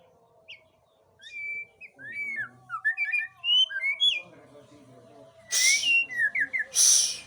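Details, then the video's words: White-rumped shama of the Aceh type singing a lively string of clear, high whistled notes, many swooping up or down, that ends in a burst of rapid rising phrases. A low steady hum and two harsh bursts of noise sit beneath. "Murai Aceh # Balak 8 tebar pesona"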